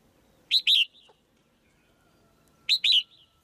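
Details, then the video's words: Caged female white-eye chirping to excite the male into louder singing: two bright double chirps, each note dropping in pitch, spaced roughly two seconds apart in quiet surroundings. "เสียงนกตัวเมียร้องเจี๊ยก ๆ ในกรง กระตุ้นให้นกตัวผู้ร้องแรงขึ้น"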